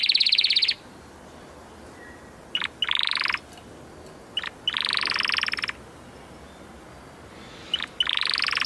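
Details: Canary delivering short bursts of dense buzzy rolling trills separated by quiet gaps, each burst opening with a brief sharp note.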